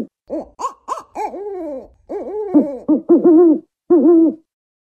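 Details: Rhythmic hooting from an African wood owl: short, arched hoots at first, some higher and sharper, then longer notes that fall away. The run closes with steadier low hoots. No other sounds.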